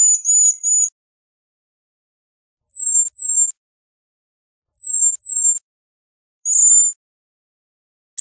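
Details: Cedar waxwing (Bombycilla cedrorum) giving thin, very high-pitched trilled whistles, about half a second each, in spaced bursts every couple of seconds, with silence between.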